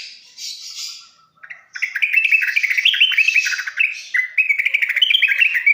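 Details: Training song of the yellow-vented bulbul meant to get mute young birds singing fast: a quiet, hissy opening gives way to a dense, fast stream of bright, warbling chirps that rise and fall.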